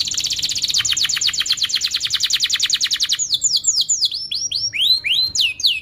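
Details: Canary lure song for teaching young canaries: a long fast trill of descending sweeps for three seconds, followed by slower looping whistled slurs.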